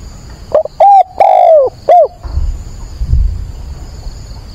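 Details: Decoy spotted dove cooing at dawn on 22 October to lure wild doves: one phrase of short and long mellow notes, the long one sinking in pitch, then low background rumble.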